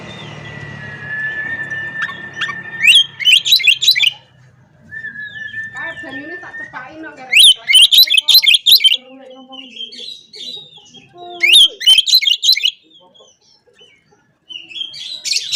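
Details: Oriental magpie-robin singing to provoke rival birds: long held whistles alternate with three loud bursts of rapid, sharp, up-sweeping notes, separated by softer varied warbling and quiet pauses, with low hum at the start.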